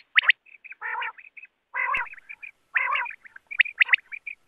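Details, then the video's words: A common quail, recorded as a call for net-hunting quail, gives harsh, nasal, buzzy bursts about once a second, separated by short, sharp, high chips, with no other sounds. "Quail sound"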